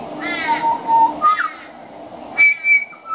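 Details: Mimicry within a pied butcherbird's veranda song: harsh, raspy, crow-like squawks alternate with clean whistled notes, three rough bursts about a second apart.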